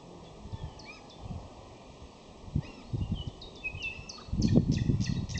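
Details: May song of a common nightingale, with varied short whistles, upslurred chirps and quick note bursts in uneven bouts, accompanied by low rustling and rumbling noise that grows louder toward the end.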